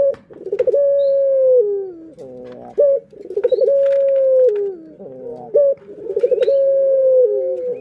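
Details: Pet Barbary dove (puter) calling as a lure to stimulate other birds: a stuttering, rolling burst running into a long steady coo that sags at the end, repeated three times roughly every 2.8 seconds.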